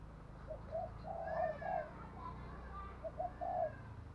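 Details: Spotted dove decoy bird cooing in the thúc gù bài lối style: soft, low coos in short groups, partly masked by steady background rumble and hiss.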